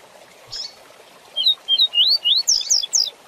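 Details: Tutor song of a rusty-collared seedeater in the quick tui tui zel zel style: one soft chip, then a fast series of clear whistled slurs climbing in pitch and ending in harsher, higher notes.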